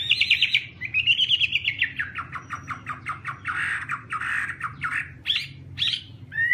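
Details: Chinese hwamei singing: a high whistled opening, then a long falling string of quick repeated notes and harsher, buzzier phrases, over a steady low rumble of background noise.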